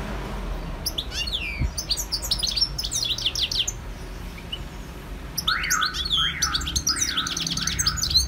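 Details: European goldfinch in the wild giving a bright, rapid twittering song, then a run of repeated, louder rising-and-falling nasal notes layered under continued high chirps.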